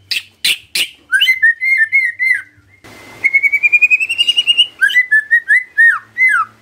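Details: White-rumped shama in full song as a lure to set other shamas singing: three harsh clicks, then varied whistled slurs, a brief hiss, and a fast rising trill of repeated whistled notes before more looping phrases.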